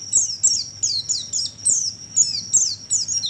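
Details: Oriental white-eye calls used as a lure to attract birds: high, thin descending chirps repeated about every third of a second in quick bursts, over a steady high insect-like tone and low hum.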